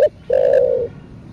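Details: One spotted dove coo in the thổ sấm style, also called thổ đặc thúc. A short clipped note is followed by a long, steady, husky low tone lasting about half a second, then quiet.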